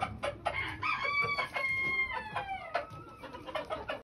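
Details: Pheasant x chicken hybrid rooster gives a drawn-out harmonic crow that rises, holds and slowly falls over about two seconds. Short clucks and scratchy calls come before and after it, over a low rumbling background.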